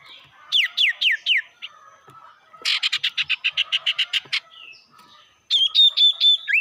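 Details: Sirtu lure song meant to provoke rival birds: a few steeply falling whistled notes, then a fast, even run of sharp chipping notes, closing with bright repeated whistles that rise and fall.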